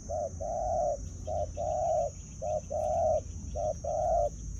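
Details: Spotted dove used as a decoy bird, luring wild birds from the fields: steady cooing in paired phrases, a short note then a longer rounded coo, repeated about once a second, over low rumbling and a constant high electronic whine.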